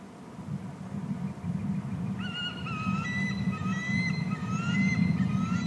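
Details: Eagle at the nest while the eaglets are being fed and a mate brings more fish. After two seconds of steady low hum, a series of high, thin, whistled calls with clear overtones starts, short notes repeated quickly and slightly rising and falling.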